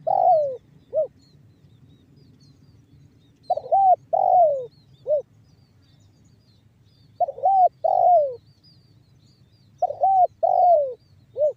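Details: A spotted dove lure in the banggo bocor song style, meant to set other doves calling: four repeated phrases, each a hiccuping coo, a long descending coo and a short final coo, spaced about three seconds apart.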